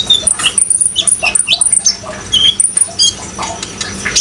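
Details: Sunbird singing 'gacor', meant as training sound to make young untamed spotted or green-plumaged birds sing: dense run of very high, thin chirps and rapid upward-sweeping twitters, nearly continuous, with brief pauses.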